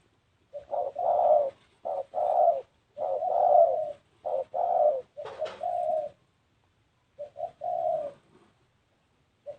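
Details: Spotted dove delivering a long sequence of hollow coos in an unusual rhythm, short notes and longer swelling ones alternating with small gaps, one sharp click in the middle, ending with softer paired coos.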